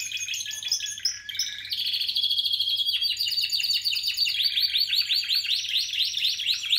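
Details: Song of a Spanish Timbrado canary from 2017: dense metallic rolls and rattling trills changing pace every second or two, continuous and bright, with a steady low electrical hum underneath.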